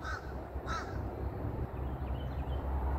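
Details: Bird perched on a big tree gives two harsh, hoarse calls in the first second, then falls silent while faint distant chirps sound over a steady low rumble.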